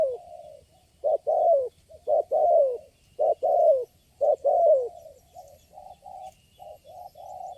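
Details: A wild spotted dove reacting to a lure bird during bird trapping. Strong clipped coos come in pairs and triplets, then fade into softer, evenly spaced notes.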